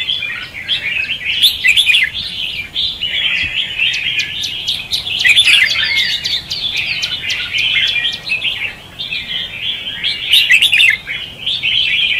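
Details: Competitive red-whiskered bulbul singing, "ché" and "xòe" style, recorded as lure sound for trapping birds. Long unbroken stream of chattering, bubbly phrases with crisp clicking accents, dipping briefly in volume near the ninth second.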